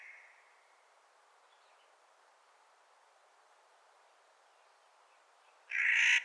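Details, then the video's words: Clark's nutcracker calling in spring: after a long quiet stretch, a single loud, harsh, grating call bursts out at the very end. "Clark's Nutcracker Calling in Spring"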